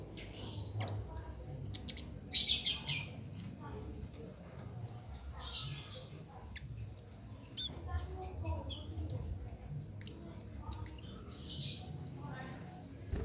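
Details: Undoped cit keres in continuous song, used as master material for tutoring contest songbirds; rapid runs of high buzzy trills and sharp tweets in fast clusters, pauses between bursts, faint voices in the background.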